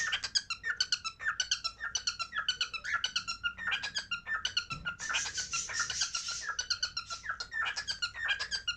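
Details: Cockatiel chattering in rapid, squeaky chirps, pulsing almost continuously, with a harsher, noisier stretch of scratchy calling near the middle before the short chirps resume.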